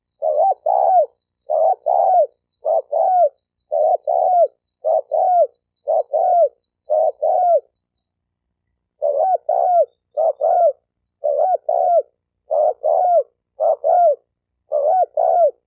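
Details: Long run of spotted dove cooing meant to provoke males and females into fighting: steady low paired hoots repeated about every seventy seconds' worth in a dense series, a brief pause midway, then continuing.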